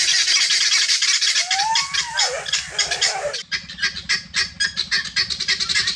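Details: Free-range helmeted guineafowl searching for food: a dense chorus of harsh, rasping calls, with a brief sliding whistle near the middle and a choppy, rapid rattling chatter toward the end.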